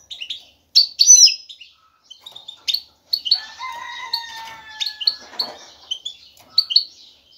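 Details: Male European goldfinch singing strongly to draw a female for mating: a few loud sharp chirps, then a run of quick tinkling notes over a sustained lower whistle, with brief pauses.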